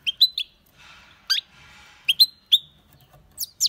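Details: European goldfinch giving scattered sharp, bright chirps and short twittered notes with gaps between them, over faint low background rustling.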